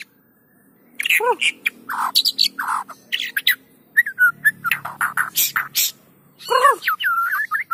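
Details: White-rumped shama song played as a lure to get other shamas to sing: varied whistles, sweeping downslurs and buzzy bursts in quick succession, with short pauses between phrases.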